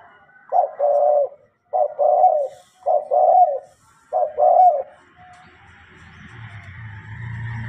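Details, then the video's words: Tame spotted dove singing well: loud mellow coos in short two-part phrases repeated about once a second for five seconds, then quiet room hum. "TEKUKUR GACOR DAN JINAK"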